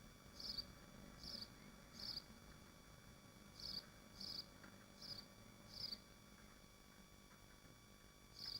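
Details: At a swift nest in Machynlleth, Dyfi Biosphere, nine sharp, shrill buzzy notes come in small groups with gaps of about a second, over a faint steady hum.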